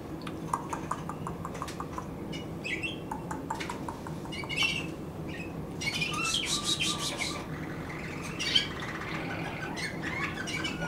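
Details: Waterslager canary from 2016 giving mixed chirps and rapid buzzy trills, with a dense burst of fast repeated notes midway and a background hum throughout.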